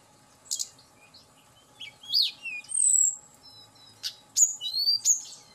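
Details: Hill blue flycatcher song meant to provoke a bird into singing quickly: sharp clicks, then sweet descending and rising whistles, a sustained high whistle, and a final burst of quick slurred notes, faint hum in the background.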